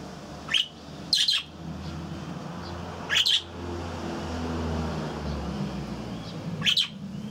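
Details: Budgerigars in an aviary making short, loud chirps in small clusters a few seconds apart, over a constant low droning hum.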